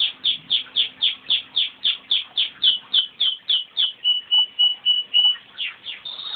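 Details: Crossbred pet male canary singing his heart out, started by his owner's whistle. A long fast series of bright, downward-slurred chirps at about four per second, then a string of steady pure whistles and a final rising note.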